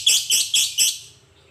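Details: Lovebird on an Indonesian masteran training recording meant to make other lovebirds sing actively: four harsh, buzzy, high chirps in quick succession, about four in one second, then quiet.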